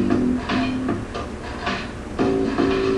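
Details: Plucked guitar notes sound in a steady run, several sustained low tones, with no animal voice heard.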